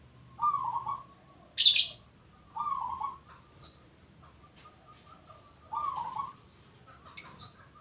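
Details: Local zebra dove repeating wavering, trilled cooing phrases roughly every one to three seconds, mixed with a few loud high chirps and squeaks.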